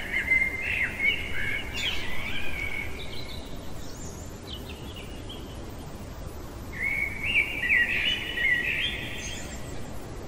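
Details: Blackbird singing deep in the night, two flowing, fluty phrases with squeaky high flourishes at their ends, separated by a quieter gap of faint notes, over a continuous low hum.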